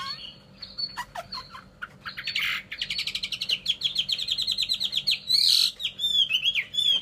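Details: Chinese hwamei kept as a cage bird in Vietnam: a few clicks and whistles, then a long fast trill of rapid notes, a loud harsh burst, and closing whistled slurs.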